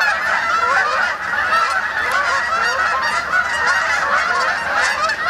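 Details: Canada geese arriving at dusk in late October to spend the night on a pond in Ithaca, New York, many birds honking at once in a steady, overlapping wall of nasal calls, loud throughout with a brief dip near one second.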